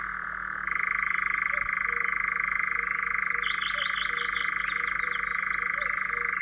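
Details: Central Russian European Nightjar: after a brief quiet start, a steady rattling churr runs unbroken to the end. Thin chirps of other small birds are audible in the background.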